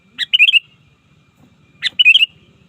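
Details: Sooty-headed bulbul lure song for summoning opponents in the wild, two loud phrases each beginning with a sharp note and a rapid run of three or four bright bubbly whistles, soft low rattling sounds between.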